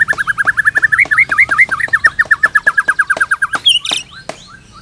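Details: White-rumped shama delivering a rapid string of repeated whistled notes that briefly switch to looping, rising-falling figures midway, then return to the steady series before a short harsh burst ends it.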